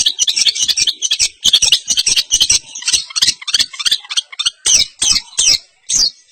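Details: Long-tailed shrike of East Javanese style singing a fast, loud, harsh high chattering song with rapid broadband bursts and brief pauses, varied imitative phrases packed tightly together.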